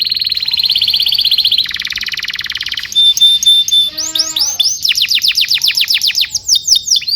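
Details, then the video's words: Canary song for training juvenile canaries: an even high rattling trill, then a pure sustained whistle, a few deep rolled notes, and finally quick repeated sweeping syllables. "PANCINGAN KENARI GACOR DURASI PANJANG UNTUK MASTERAN KENARI PAUD BELAJAR BUNYI DAN GACOR"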